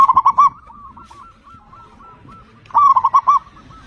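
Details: Zebra dove of a local strain singing loudly as a lure to set other birds singing; two quick bursts of bubbling, trilled coos separated by a long run of faint, even, whistled notes from other doves.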